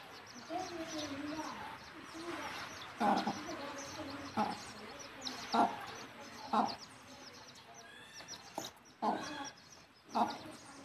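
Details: Mother hen guiding her chicks to the nest for roosting: soft drawn-out clucks early, then sharp single clucks roughly every half to one second, mixed with high faint chick cheeps and some light background noise.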